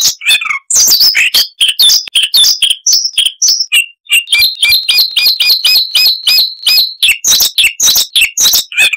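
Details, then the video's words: Small insect-eating songbird, the Siberian rubythroat (Luscinia calliope), giving a babbling song of many varied sounds: harsh chatter, then a long fast series of evenly repeated whistled notes, ending in mixed chirps. "Masteran Burung Luar Negeri Suara Unik Asli HD AUDIO - Siberian Rubythroat (Luscinia calliope)"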